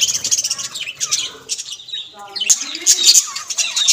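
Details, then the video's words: Australian budgerigars in lively chatter, a tangle of shrill chirps, short whistles and scratchy squawks running on without break and rising louder toward the end. "Australian tote ki voice"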